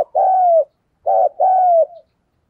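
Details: Spotted dove calling in the thúc gù and gáy gọi style used to lure wild doves: a drawn-out, slightly falling coo, a pause, then a short hoot and another long coo, with no other sounds.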